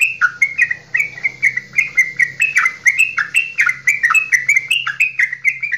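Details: A Javanese straw-headed bulbul pours out a long, loud goklikan song of rich, bubbling, rolling, gurgling phrases with no pauses, over a faint low hum, used as a lure to stimulate other straw-headed bulbuls to sing.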